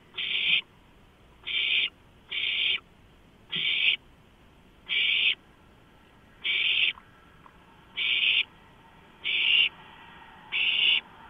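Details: Owlets with beaks and talons on a freshly delivered large rodent, March 2015, produce nine grating, noisy screeches of similar length at fairly steady intervals of about a second, over a quiet background hum.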